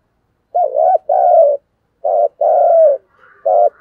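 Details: Thúc gù giọng thổ cooing from a spotted dove, played to lure wild doves: two doubled phrases, a short hoot then a longer wavering coo, with a third phrase starting at the end.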